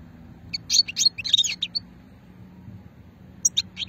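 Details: European goldfinch singing old-style shetla song, Sétif region, Hammam Guergour, Algeria, 2020: a rapid jumble of high, liquid chirps and trills, a brief pause, then a few more sharp twittered notes, with a soft low hum beneath.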